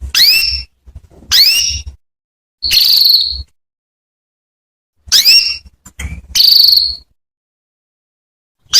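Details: Calls of a female canary meant to draw a male into song: pairs of sharp downswept whistles followed by a drawn-out buzzy note, repeated in irregular groups about every few seconds with quiet pauses.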